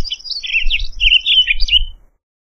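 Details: Townsend's solitaire delivering a brief burst of fast, fluty warbling, its notes sliding up and down and ending abruptly, over faint low rumble.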